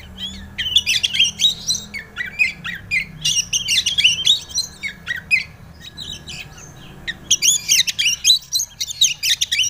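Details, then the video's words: White-rumped shama song used as a lure to provoke another bird into singing: dense bursts of harsh chattering, squawky notes and quick whistles in clusters, separated by short gaps. "pancingan burung Kacer ampuh Kacer bahan mau bunyi"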